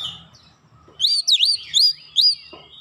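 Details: Oriental magpie-robin singing quickly to push an idle bird to sing: four or five loud, swooping whistles, some dipping sharply then climbing, following a quiet start with faint low background noise.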